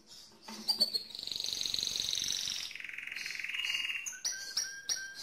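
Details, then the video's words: Singing mosaic canary: a few clipped notes, then a long high rapid trill that steps down to a lower rolling phrase, ending in sharp repeated whistled chips. "le Chant le plus fort de canari mosaïque"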